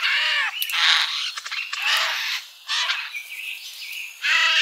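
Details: Birds at a feeder in a summer garden: harsh, raspy squawks and chattering calls overlap almost continuously, with short noisy bursts and brief pauses, several birds sounding at once.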